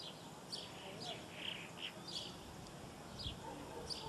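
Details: Southern martin calls recorded in Córdoba in December 2011: scattered short chirps and slurred notes over a steady hiss of background noise.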